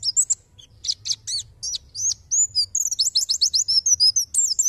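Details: White-eye (pleci) giving a 'tembakan' style song for a masteran tutor recording used to train songbirds: high, rapid, sliding chirps in dense bursts, the pace quickening into a near-continuous chatter toward the end.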